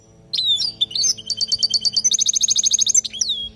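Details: Song of a European goldfinch recorded in Palestine as a lesson for young birds: a few slurred whistles, then a quick chain of repeated notes running into a long rattling trill, ending on a falling whistle.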